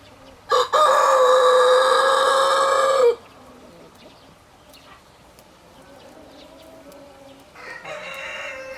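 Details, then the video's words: Rooster crowing: one long, loud, harmonic-rich crow lasting about two and a half seconds, holding a fairly steady pitch before cutting off. A quiet stretch follows, then a second crow begins near the end. "Roosters crowing sound effects"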